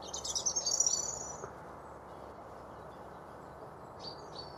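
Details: European robin on a trail in Chesterfield, Derbyshire, UK, singing to hold his patch: one high, shimmering trilled phrase lasting about a second, then quiet with a faint short high note near the end, over low background rumble.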